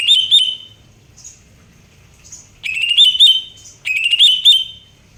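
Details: Greater green leafbird singing clear whistled phrases that rise and fall with bright overtones, delivered as three separate bursts with short pauses between them, over a quiet background.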